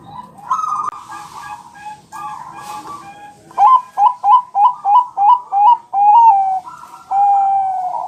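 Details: Bangkok zebra dove, a champion singer, played as a lure to prompt other birds to reply. Rough rolling coos lead into seven fast, punchy notes roughly three per second, then two long, smooth sustained coos.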